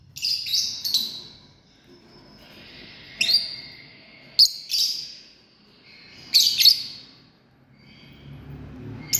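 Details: Lovebirds of a family group chirping in loud, high bursts, often doubled or tripled, with drawn-out screechy tails and short pauses between the bursts.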